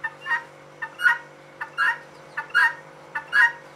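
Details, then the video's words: A hen guineafowl repeats a clipped note followed by a longer scratchy call, five pairs in a steady pattern with a faint electrical hum underneath. "Female guinea calling/sound"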